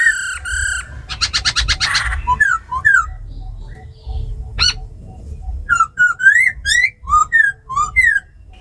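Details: Captive laughingthrushes, a tame black laughingthrush singing forest-style and a female's ro khẹt, meant to stir wild-caught birds. A held whistle, a harsh buzzy rattle, then a run of bright slurred whistles rising and dipping.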